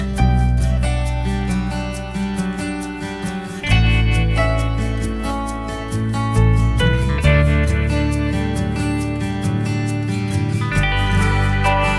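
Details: Loud guitar music with steady plucked and strummed notes throughout, and no animal sounds heard.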